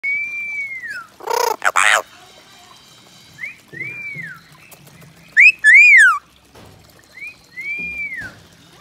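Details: Orange-winged amazon, a talking parrot, giving a string of clear arched whistles that rise and fall, two short harsh squawking bursts, and a louder warbling whistle that bends up and down, with quiet pauses between phrases.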